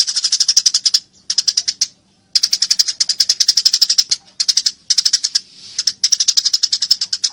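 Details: Excited Eurasian tree sparrow chirping loudly while fighting, with clipped high notes in quick succession forming bursts of about a second each, only briefly interrupted.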